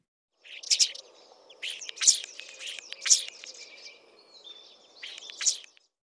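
A swallow twitters in quick, high chirps and warbling chatter, with louder sharp notes about once a second, over a steady low hum of background noise.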